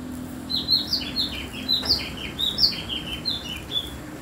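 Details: Unusual-sounding double-collared seedeater song: a steady string of high, bright slurred chirps repeated roughly three per second over four seconds, some notes rising and others dropping, with a faint low hum behind.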